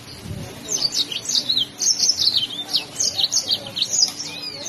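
Yellow-fronted canary sings a fast, continuous run of high, sweet chirps and slurred trills, rising and falling without pause; a faint low hum sits underneath.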